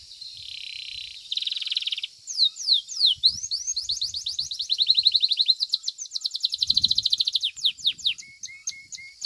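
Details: Competition song of a domestic Belgian canary, opening with a buzzy sustained note, then sweeping downslurs, a long rapid trill and a few lower clipped notes at the end.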